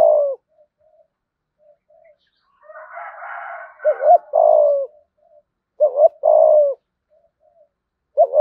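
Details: The lure coo of a spotted dove in the 'giọng thổ' style, meant to attract wild doves: repeated phrases of doubled short notes and a long falling coo. A brief hoarse rustling burst comes just before one phrase.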